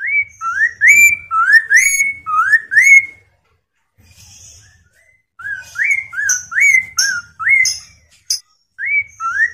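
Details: Chinese hwamei song meant to prompt other hwameis to respond and sing: loud, clear whistles that rise and slur upward, delivered in fast runs of five to seven notes, with a short pause in the middle and faint high notes mixed in.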